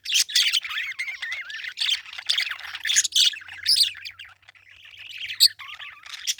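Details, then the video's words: Busy parakeet chatter: rapid squeaky chirps mixed with wavering warbled notes and a few piercing squawks, dropping briefly quiet before resuming. "Parakeet Chirping Sound"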